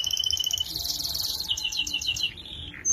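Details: Canary singing as a tutor recording for training young canaries still growing: fast high trills of rapid repeated notes, shifting to a rolling buzzy series, with background hiss.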